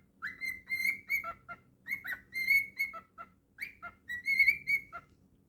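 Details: Cockatiel kept as a pet sings a fast run of clear whistled notes. Level tones are broken by quick upward slurs and lower dipping notes, in about three phrases over low household background hum.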